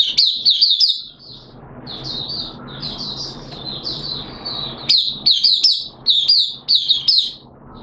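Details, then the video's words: Caged oriental white-eye singing on 13 September 2022, its second day of a monthly deworming treatment; rapid high twittering warble in quick clustered phrases, a brief pause near one second, then dense chattering notes resuming; faint low indoor hum beneath. "Mata Puteh T Rex Buka Sing"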